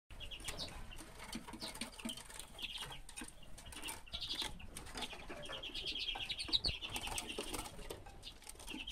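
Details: Common redpoll calls recorded in 2016: many short chattering notes in quick, uneven bursts, several birds overlapping, mixed with frequent wing flutters and sharp clicks against a soft rustling background.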